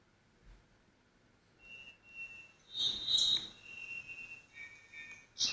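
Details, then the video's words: Cuban Solitaire, one of three or four singing along a foggy forested ridgeline in Guantánamo, Cuba; ethereal song of pure, sustained high whistles, then a burst of brighter ringing notes and more held whistles. "I'm not sure if you can hear this well enough, but this is a Cuban solitaire singing."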